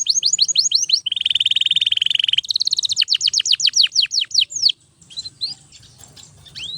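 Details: Canary in full song, used to train other birds: fast series of downward-sweeping whistles, a dense buzzy trill, then spaced slurred notes fading into softer chips at the end.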